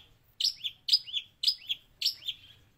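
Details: Long-tailed shrike master song with mimicked sparrow and prinia: four repeated phrases, each a sharp downslurred note followed by a softer rising-falling whistle, about every half second.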